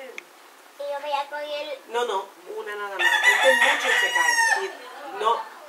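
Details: Two roosters in conflict yelling at each other near a cockfight, Puerto Rico, winter 2014: a few shorter harmonic calls lead into a loud, strained crow of about a second and a half, then a brief final note.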